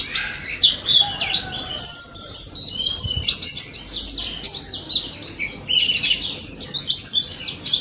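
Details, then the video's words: Singing pleci daput white-eye in the ngalas style, used so silent white-eyes will sing back: loud, rapid cascades of piercing high chirps and slurred whistles, nearly without pause, with a faint low whistle early. "NGALAS MAUT‼️ BURUNG PLECI DAPUT GACOR NGALAS NEMBAK || PANCINGAN PLECI BISU DI JAMIN NYAUT"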